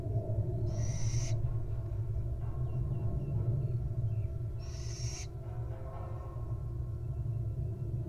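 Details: Resting wild barn owl nestling getting comfortable to sleep gives two rasping, breathy hisses, each around half a second, near the start and middle, with a constant low droning background.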